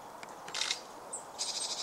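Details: Male Red-flanked bluetail (Tarsiger cyanurus), 12 February 2014: a brief high whistled note and a few dry, scratchy clicking calls in under two seconds, against a quiet background.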